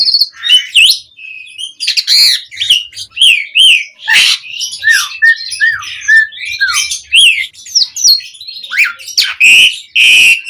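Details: Asian pied starling song, a lure recording meant to set other birds chattering: loud mix of whistled slurs, rising and falling notes, harsh squawks and sharp clicks in rapid varied phrases, with short pauses between bursts.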